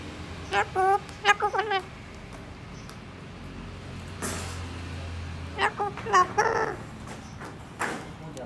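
A yellow-crested cockatoo talks in two short bursts of rasping, speech-like syllables with a low hum and a brief rustle between them.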